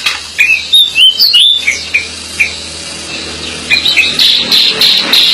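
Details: Chatty decu, the Pied bushchat, singing: crisp, repeated whistled notes and quick sliding phrases, followed by a dense, bubbling series of high twittering notes.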